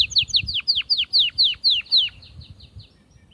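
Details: Atlantic canary singing to stimulate females for mating: a steady series of loud downward-slurred whistles, roughly four per second, fading after two seconds into quiet.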